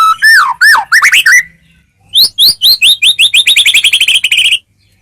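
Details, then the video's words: White-rumped shama song meant to prompt other shamas to reply quickly: a few swooping whistled phrases, a pause, then a fast run of about twenty short, sharp rising notes that slow slightly toward the finish. "masteran burung murai mewah"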